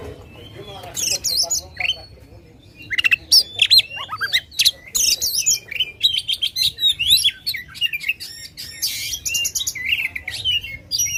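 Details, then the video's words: Oriental magpie-robin in loud, unbroken song meant to provoke contest birds: after a quiet start, a fast stream of sharp chirps, whistled slides and rattles in quick pulses, energetic and varied throughout. "kacer gacor ngobra suara lantang ampuh buat pancing emosi kacer kontes"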